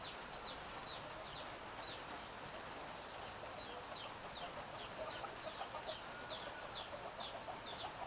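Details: Morning drizzle in a village with chicken chicks cheeping continuously, a stream of short high downward-sliding peeps growing busier toward the end, over soft even rain noise.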